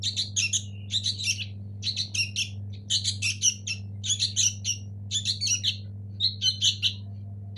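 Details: Young sooty-headed bulbuls, local native birds, chirp insistently in dense runs of high, scratchy notes, roughly one cluster every second, with a constant low mechanical hum underneath.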